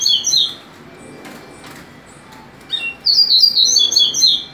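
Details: Double-collared seedeater bred in captivity, delivering quick high-pitched chattering song bursts of clipped, rapidly alternating notes, one short phrase at the start and a longer one after a pause, over faint indoor background.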